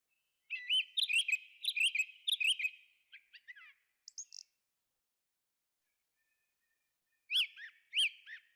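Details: A thrush singing in a forest: bright whistled phrases of quick, rising-and-falling notes, often repeated in short bursts, then a pause of several seconds before another loud phrase.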